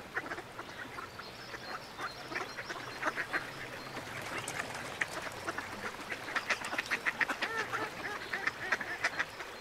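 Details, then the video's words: Ducks on a lagoon calling together, a dense overlapping chorus of short quacks and chatter that grows busier toward the end, over steady background noise. "Som de Pato - Patinhos na Lagoa - Duck Sound"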